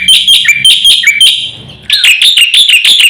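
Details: Lively Black-winged myna master recording for provoking birds: high squeaky whistled notes in quick bursts, a brief fade, then sharp rising and falling chirps.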